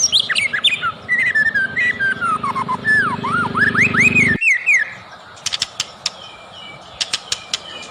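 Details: White-rumped shama song played as a lure to make other shamas sing: looping, swooping whistled phrases rising and falling over a low engine-like hum that cuts off abruptly, followed by sharp high chips and short upward notes.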